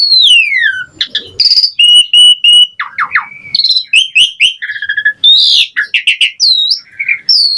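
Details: Rich variation from an Asian pied starling: a long falling whistle, flat sustained notes, clipped chirps, low burry slurs and squeaky upsweeps following one another rapidly.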